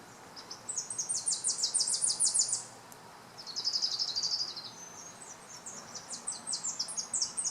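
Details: A bird the recordist thinks is a Tennessee warbler sings very high, dry staccato chips that run into a fast, even trill, then a second chippy series, over faint background hiss.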